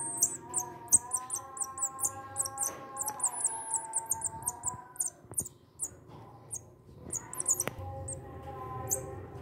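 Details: A hungry munia, taken in from behind a house and hand-fed, gives rapid, thin, very high squeaky chirps, several per second in uneven bursts, over a faint steady low hum.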